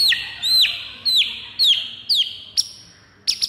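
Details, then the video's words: White-rumped shama fighter song meant to provoke other birds into rage: repeated bright whistled notes that sweep down, about two per second, followed by sharp high clicks. "MURAI FIGHTER PENDONGKRAK EMOSI DIJAMIN NGAMUK DALAM HITUNGAN DETIK"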